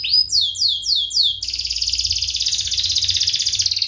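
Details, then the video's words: Sharp canary song for young canaries learning to sing. Looping downward-sweeping chirps, about four per second, switch abruptly into a tight, fast, even rolling trill. "Kenari Gacor Tajam Cuit cuit NgeroL RAPAT paling dicari untuk Pancingan kenari paud belajar bunyi"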